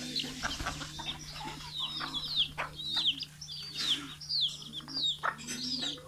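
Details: Chickens big and small being fed in the morning after leaving the coop, Betbari, Fulbaria, Mymensingh, 6 October 2018; sharp falling peeps over soft low clucking, with a rustling, noisy background and hum.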